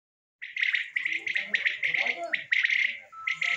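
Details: Common quail calling: a fast run of buzzy, pulsed notes, each burst breaking into rapid clicks. Nearly continuous for about three seconds, with a short steady tone near the end.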